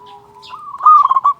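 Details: Local zebra dove singing as a lure for other doves: a soft level coo swells into a short loud burst of rapid pulsed cooing notes.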